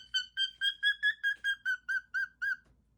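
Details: Pet parrot singing indoors: a run of about eleven short, bright, harmonic notes, evenly repeated roughly four per second, each slightly rising then falling, ending abruptly with a quiet room behind.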